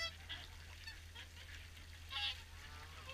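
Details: Swans gathered for an evening feed at Caerlaverock give soft, distant honking calls, several birds overlapping in a loose chorus over a constant low background hum.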